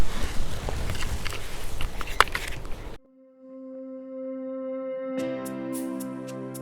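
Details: Rough outdoor handling noise and clicks, a short silence, then sustained ringing musical tones with chime-like hits.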